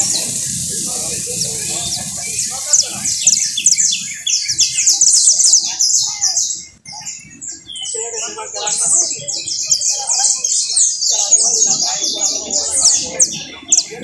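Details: Trilling canary pouring out high, buzzy repeated notes in long rolls, with a short pause partway through, over a background of people talking in Spanish.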